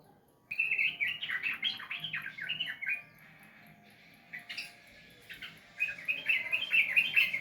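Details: Sooty-headed bulbul, used as therapy to make a reluctant bird sing: dense chattering runs of warbled whistles, a quiet gap, then another lively burst of rapid notes.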